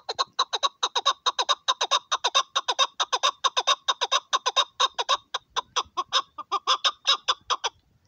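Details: Excited hunting chukar partridge (Alectoris chukar) giving a fast, steady run of harsh clucking chuck notes, about four a second, with a loud, insistent, rattling quality.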